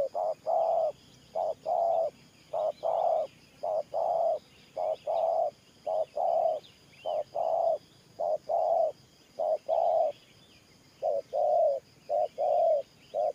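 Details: Sustained Thổ Pha-style cooing by a spotted dove, over a dozen pairs of low coos, a brief note then a longer one, with a short gap near the middle and faint twittering birds behind.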